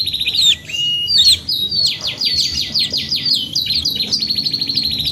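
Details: Canary song, long and lively: high whistled slides open into a steady series of rapid chopped notes, followed by rolling trills that change speed several times.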